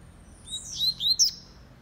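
A Double-collared seedeater gives a quick burst of high, bright notes: a few sliding whistles and a sharp chip in under a second, against quiet background.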